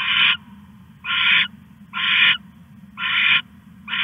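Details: Loud, grating hiss-screeches from an owl caching a rat on the night of 21 August 2015, five bursts close to a second apart, with a soft low hum running beneath.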